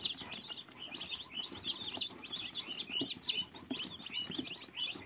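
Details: Several small fluffy chicks keep up a steady chorus of shrill, quick peeps, each note sliding up and down, crowding one another without pause over faint low rustling.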